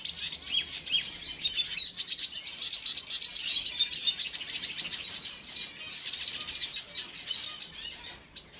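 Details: Red siskin, recorded 2022.06.05: rapid, high-pitched twittering with quick repeated chirps, some buzzy trilled bursts, steady throughout and fading slightly at the end.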